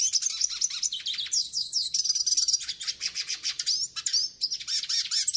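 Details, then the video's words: A yellow-faced siskin song used to train and warm up Northeastern Brazilian siskins: a long, rapid twittering of high, buzzy trills and sweet slurred notes, pouring out without pause. "CANTO PARA ENCARTE E ESQUENTA PINTASSILGO DO NORDESTE"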